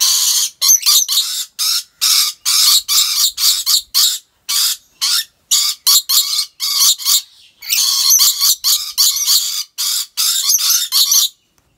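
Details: In a park collection in Aceh Besar, Indonesia, rainbow lorikeets keep up a dense, grating stream of screeches and shrieks for over ten seconds, with one short gap midway before the noisy calling resumes.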